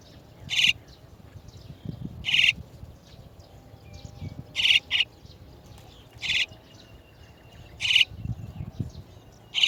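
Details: Chestnut-tailed starling parents, come to bring their chicks out of the nest, give short, harsh, high chirps, singly or in quick pairs, every one to two seconds, over a faint low rumble.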